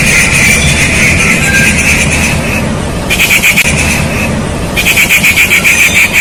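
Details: Rufous treepie (Indian treepie) visiting a fig tree, calling in loud, grating, nasal bursts made of rapid pulses, in three runs separated by short pauses, over a constant background hiss.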